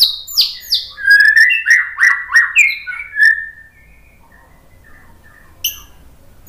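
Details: White-rumped shama song meant to trigger other birds to sing: a quick run of descending whistled slurs and rapid warbled notes, then near silence with faint distant chirps and one sharp high note.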